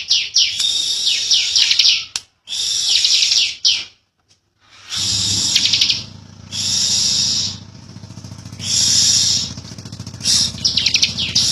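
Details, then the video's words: Bar-winged prinia giving a 'ngebren' song. Several bursts of high, buzzy, rapidly repeated notes last one to two seconds each, with short silences between. A steady low hum sounds under the later part. "Ciblek Kali | Cikal Super Ngotot Ngebren Rapet Panjang"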